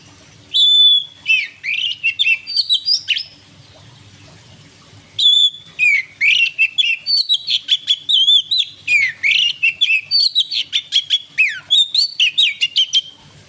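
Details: Evening song of an Oriental magpie-robin, black-and-white with long tail, used to stir other birds; loud rapid bursts of whistled notes and harsh chirps, a brief pause, then a long rhythmic string of sharp repeated phrases.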